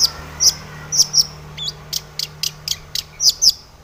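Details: Long-tailed shrike giving crisp, very high chirps, sometimes doubled, between quick ticking notes in an otherwise quiet setting with a faint low hum.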